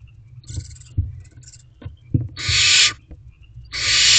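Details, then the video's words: Young barn owl in a nest box on a May evening, begging while watching for an adult bringing food: faint brief hisses at first, then two loud long raspy screeches, plus light tapping and movement sounds. "Looking Outside For Food Delivery"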